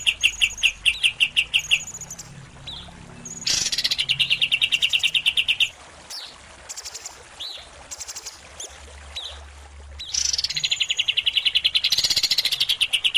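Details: Greater green leafbird with competition wins, mixed with a kapas tembak as a training recording: repeated bursts of rapid, high chattering tembakan notes, broken up by short whistled slurs and high thin whistles.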